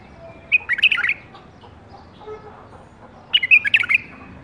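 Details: Bulbul bred in captivity, season 2018, sings two chattering whistled phrases of closely packed notes, around three seconds apart, over light background noise.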